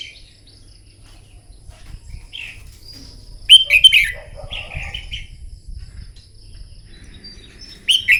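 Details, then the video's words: Morning contest-training song of a red-whiskered bulbul, stirred to sing fiercely: short warbling phrases scattered through, with a loud cluster of quick slurred whistles in the middle and another burst at the end. "Chào mào hót kích lửa " luyện chào mào hót đấu buổi sáng" kích chim hót căng lửa"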